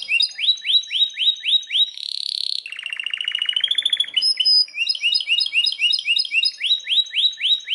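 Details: Belgian canary in strong song: fast series of upswept chirps, a buzzy burst, then a rapid rattling trill and steady high whistles before the repeated rising chirps return, about four per second.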